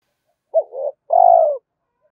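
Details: A single spotted dove phrase from cooing meant to lure a rival: a quick hooked note sliding into a wavering middle part, then a long, full, gently falling coo, clean and quiet around it.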